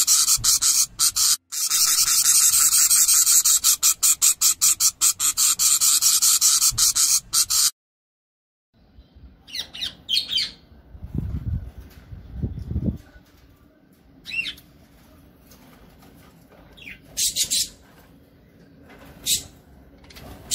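A budgerigar chatters in a dense, scratchy warble, then gives scattered short chirps.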